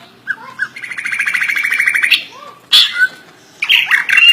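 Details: Song of a kept greater green leafbird with isian, learned imitations: two soft whistles, a long rapid buzzing trill that swells steadily, a quiet pause, then a sharp high burst and chattering whistled notes.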